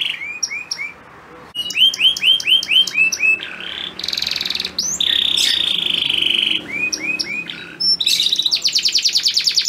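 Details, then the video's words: Male canary singing for a female in breeding condition: rows of upswept chirps, a buzzy rattle and a long flat whistled tone, then further chirps and a fast trill. "Kenari Super Gacor Betina Birahi Langsung Ngleper"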